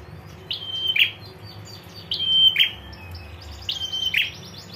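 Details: Female prinia giving the ngetir call that makes males respond: a level high whistle ending in a short buzzy burst, repeated three times about every 1.8 seconds, with a faint low hum beneath.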